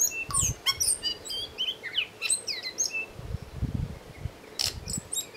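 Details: Tui song of quick, varied phrases: bright whistled upslurs and downslurs, sharp clicks and high piercing notes tumbling together, with low rumbling thuds in the background.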